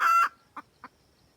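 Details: Red junglefowl hen calling the rooster: one loud harsh squawk ending abruptly, followed by two soft short clucks spaced about a quarter second apart.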